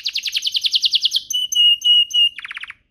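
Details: Canary song meant to get other canaries singing: a fast series of repeated high chirps, then long level whistled notes, ending in a short rapid trill before silence.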